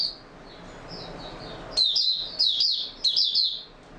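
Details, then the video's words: Oriental white-eye, known locally as Mata Puteh, opening into steady song on 28 February 2022. A faint high warble gives way to loud, quick twittering bursts, with low background hum. "Mata Puteh Raja Video 1 buka sing stable form 28022022"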